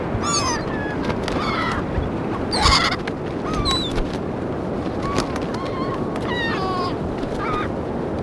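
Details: Seagulls crying while being fed on St. Augustine Beach, Florida, 2016; many overlapping squealing, wavering calls from several birds throughout, over a constant roar of surf and wind.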